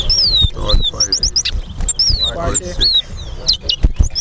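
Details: Chestnut-bellied seed finch, the towa towa, singing in a bird singing competition at Guyana National Stadium: clear whistled notes sliding down and rising in loops, repeated in short phrases over crowd chatter and background music.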